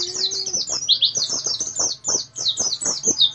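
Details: An Oriental white-eye, a tutor bird prized for fast song with tight pauses, pours out a fast, unbroken stream of thin, high chirps and twitters, tightly packed with almost no pauses, over faint low clicks.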